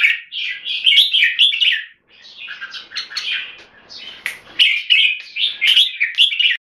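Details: Caged red-whiskered bulbul in Singapore singing, with solid clear 'keke': rich, rolling whistled phrases, one brief pause, then more bright chattering notes to the end.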